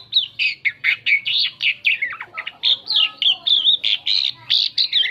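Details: Asian pied starling giving its variable song to lure other birds: a rapid series of loud, harsh, squawky notes repeated about four times a second, mixed with slurred whistles, over faint low hum.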